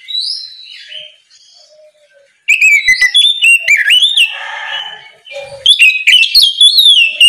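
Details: Loud, open 'ngeplong' song of an oriental magpie-robin in the morning, used to call untrained birds to sing. Quiet whistles lead into two long bursts of rapid, bright whistled notes with warbling turns, around four notes per second.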